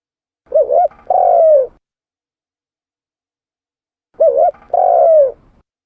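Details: Spotted dove coo used to lure birds. Two identical phrases about four seconds apart, each a quick wavering double note followed by a sustained soft coo that drops at the end, with silence between.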